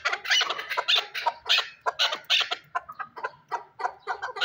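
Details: Chukar partridge, Shurobod: rhythmic series of harsh clucking notes, roughly four per second, steady in loudness throughout.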